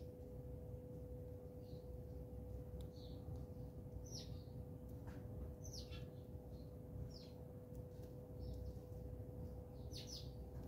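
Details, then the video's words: Several house sparrows fighting at home bird feeders filled with birdseed in South Africa; bright, brief chirps repeated irregularly every second or two across ten seconds, set against constant low-pitched background noise. "Bird Fights (House Sparrow Call & Fights)"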